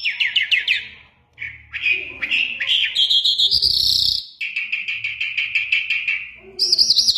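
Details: Iranian Mashadi lark in continuous song: quick high warbles, a rising buzzy trill, a steady rattling phrase and a final shrill zigzag trill.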